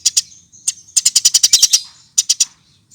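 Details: Eurasian tree sparrow lure sound: a couple of sharp chirps, then a quick run of about nine loud, slightly buzzy chirps, a pause, and three more.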